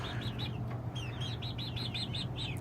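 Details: Domestic chicks at night on their first evening all perching by themselves, giving a rapid series of high, arched peeps, about a dozen in under three seconds, over a steady low hum.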